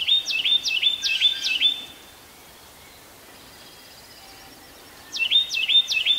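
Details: A Carolina wren sings loud, ringing phrases, about five in quick succession, pauses three seconds, then another run, at Pheasant Branch Conservancy; faint hiss in the background.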